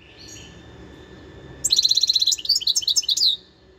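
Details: Wild European goldfinch from 2021 delivering a rapid, liquid twittering phrase of about two seconds, high and trilled, with fast repeated tinkling notes after a quiet start.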